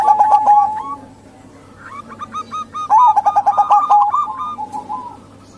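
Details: Female zebra dove of the local kind, calling to lure males; a short pulsed coo, a quiet gap, then a loud run of fast rhythmic coo pulses fading at the end, steady low hum behind.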